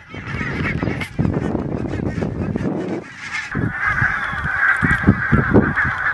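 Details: Barnacle geese on autumn migration through Denmark in October give short, yapping, dog-like barks, many birds calling over one another about twice a second, with a low rumble of wind or flock noise beneath.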